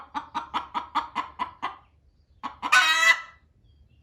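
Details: Hen in a barn, loudly urging a laying hen to hurry off the nest. About eight rhythmic clucks trail off into a brief hush, then a few clucks lead into one long, strident squawk.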